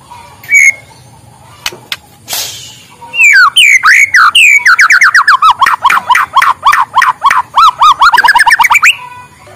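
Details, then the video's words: Morning song of a white-rumped shama meant to set lazy birds singing: a few scattered notes, then a long rapid string of loud whistled up-and-down notes, repeated about four times a second. "suara muraibatu di pagi hari, untuk pancingan muraibatu malas bunyi"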